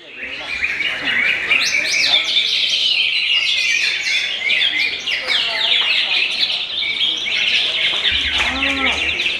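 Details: Rapid, high chattering song from a young murai kept for pleasure during the pre-fast-break hours: tight clusters of bright notes and trills run continuously, and a short lower warbled phrase appears near the end.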